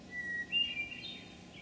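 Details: A Hermit Thrush sings one phrase at Memorial Forest, Sudbury, Massachusetts, on 19 June 2011: a long, pure whistled opening note, then a quick run of higher, flute-like notes, over a soft background hiss.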